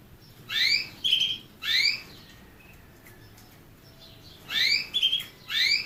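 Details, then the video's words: Canary singing in short bursts: bright, chirpy rising sweeps, some with a thin whistled note, grouped in pairs and separated by brief silences; no other sounds. "the basics of canary birds' singing"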